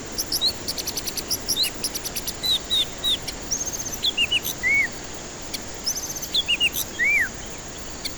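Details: White-rumped shama song played as a lure to provoke stressed, silent birds: scattered short whistled slurs and chips, some in quick pairs or triplets, interspersed with brief high rattles over constant background hiss.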